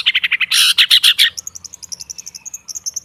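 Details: Long-tailed shrike lure recording meant to coax stalled shrikes into singing: loud harsh buzzy bursts in rapid succession, then a long run of quick, thin high ticks repeated several times per second.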